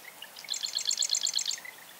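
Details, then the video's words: Rapid rattling trill from a marsh wren, a steady stream of sharp high clicks lasting about a second, with brief buzzy notes at the start and end. "Marsh Wren - Song & Call"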